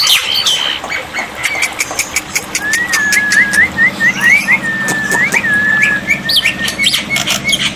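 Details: Black-winged myna song from a water-therapy tutor recording meant to make silent birds answer: a long, level whistle with short upslurred inflections, among sharp clicking pops and a steady low hum.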